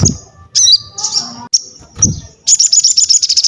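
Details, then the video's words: Singing crested jay kept to train other birds: high whistled notes and squeaky slurs, ending in a quick rattling trill, with low thumps and hum beneath. "SOGON GACOR UNTUK ASAH MENTAL, MASTERAN DAN PANCINGAN BUNYI"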